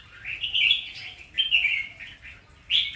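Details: Red-whiskered bulbul song with liquid, slurred warbles that rise and fall, two phrases separated by a brief gap, then a sharp new note at the end, over low background hiss.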